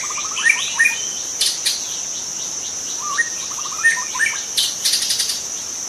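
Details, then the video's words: Young wild white-rumped shama from the forest singing short clusters of rapid whistled notes that step up and down, with pauses between phrases, over a steady high insect drone throughout. "Kicau murai muda hutan"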